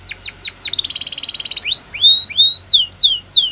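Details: Canary singing quick downslurred notes, then a rapid buzzy trill of about twenty pulses, followed by clear rising whistles and loud descending sweeps repeated roughly every half second.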